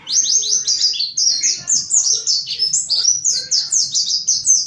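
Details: Rapid, high twittering song of a mountain white-eye, used as a lure to coax forest white-eyes into singing: short down-slurred notes strung closely together in a steady, lively chatter.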